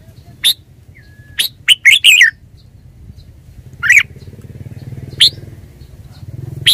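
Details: Red-whiskered bulbul song: sharp chirps and a rapid jumbled warbled phrase, with a low whistle early on and a motorcycle engine rumbling in the background later.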